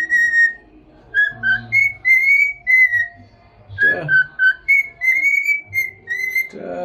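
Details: Pet cockatiel whistling while head dancing, happy: clear tonal whistled phrases, some level and some gently wavering, in short runs with brief pauses, with faint background noise and a soft voice-like sound at times.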